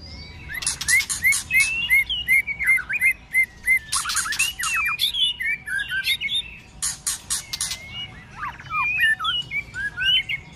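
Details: White-rumped shama fighting song used to provoke rivals in the cold season, many-voiced: rapid series of short rising whistles repeated about three times a second, mixed with harsh broadband rasping bursts and sharp clicks, more varied whistled phrases later.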